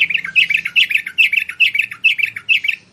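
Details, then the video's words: Bulbul (merbah) lure calls: continuous rhythmic chattering of paired, bubbly falling notes, repeated about twice per second, with faint low background hum. "Suara burung merbah untuk memikat burung merbah liar"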